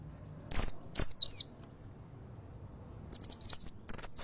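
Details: Mountain white-eye giving a few high slurred chirps, a long near-silent gap with a faint thin tone, then a closing cluster of quick bright twittering notes.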